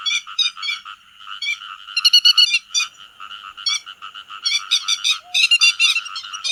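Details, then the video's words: Grey-headed lapwings calling their flock, used as a lure for netting by day and night: a continuous raspy chorus with clusters of sharp repeated notes, densest in the second half. "Tiếng Chim Te Vàng Gọi Bầy"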